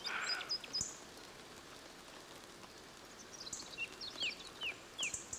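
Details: Thrushes singing under drizzling rain in a shady Cantabrian beech forest: thin, high, whistled phrases in short scattered bursts with a few quick downslurred notes, over the steady soft hiss of rain.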